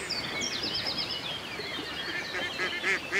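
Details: By a lake in the country, thin high twittering from small birds opens, then two loud, harsh duck quacks close the moment, set against soft background hiss.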